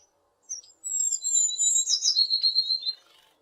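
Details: Tit singing in west Poland, recorded on a Zoom H6 with a RODE NTG4 microphone: a short high chip, then sustained piercing whistles layered with a rapid twittering burst lasting about two seconds, in near silence.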